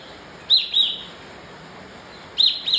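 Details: Bar-winged prinia giving high, bright chirps in pairs, each pair of quick notes repeated after roughly two seconds, the second note of each pair slightly softer, with a steady faint hiss behind.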